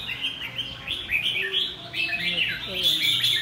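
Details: Kept red-whiskered bulbul in Vietnam singing intensely: a steady stream of high chirpy notes and quick warbled phrases with no pauses, over people talking in the background.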